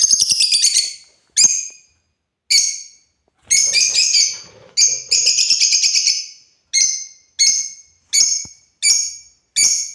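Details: African lovebirds, described as playing, give loud shrill harsh chirps, some in rapid rattling bursts, others as single sharp notes spaced about a second apart, with brief pauses between; no other sounds stand out.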